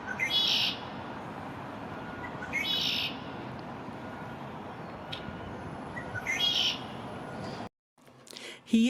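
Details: An immature male Red-winged Blackbird, in his first spring and new to a downtown backyard, sings on May 1, 2024 to stake his territory. He gives harsh buzzy trills about every three seconds over steady noise, and the sound cuts off abruptly near the end.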